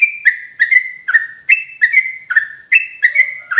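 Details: Rapid paired whistles of a sooty-headed bulbul, played loudly as a forest trapping lure, each pair a bright note falling into a slightly lower, drawn-out one, repeated about every half second.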